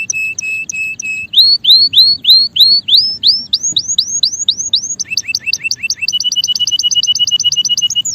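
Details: A male canary sings clearly: steady low pips, a long series of curving rising whistles, then faster paired notes merging into a rapid, even trill, with a quiet background.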